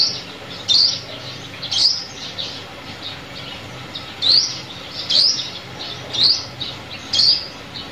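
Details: A sunbird calling, recorded for luring birds into traps: a run of about eight piercing, upward-sweeping thin notes spaced about a second apart, with soft hiss throughout.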